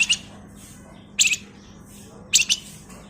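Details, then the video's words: Male flamboyan used as a lure bird, singing ngebren, nyerecet and nyuling styles: three short bursts of high, buzzy chirps roughly a second apart over a steady low hum. "SUARA PANCINGAN BURUNG FLAMBOYAN GACOR FULL ISIAN NYULING"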